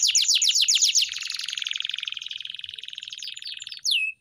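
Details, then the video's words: Canary song used as a master recording for training pet canaries to sing: fast repeated downward sweeps, then a long buzzy rapid trill, ending in a sharp falling whistle. "Masteran Burung Kenari _ CANARY SINGING"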